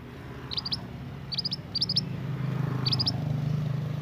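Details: Scarlet minivet, a young wild-caught forest bird, singing actively: short clusters of three or four thin, high chirps repeated roughly every second, over steady low rumbling traffic-like noise.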